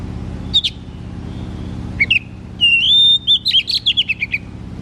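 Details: Oriental magpie-robin song in ngeplong style, used as therapy for a lazy singer: sharp chirps, a long clear whistle, then a rapid series of sliding, bubbling notes, over a low background hum.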